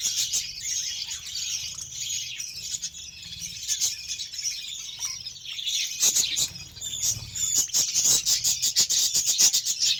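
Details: Several budgerigars chatter while fed beetroot, a steady high twittering warble that grows busier toward the end with quick clicking chirps.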